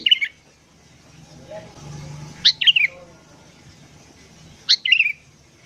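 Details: Short warbling phrases from a sooty-headed bulbul singing in the morning, a recording for luring wild bulbuls: two bubbly, downward-sliding phrases about two seconds apart, quiet between them.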